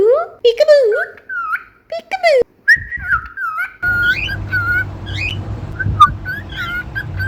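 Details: Pet cockatiel: lower wavering whistles at first, then a room-toned stretch of repeated clear level and rising whistled notes over a soft hum.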